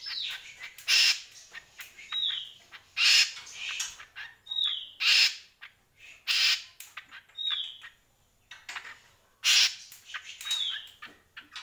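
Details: Greater green leafbird song built from loud harsh buzzy bursts spaced roughly every two seconds, each paired with a short clear downslurred whistle, with soft chips between.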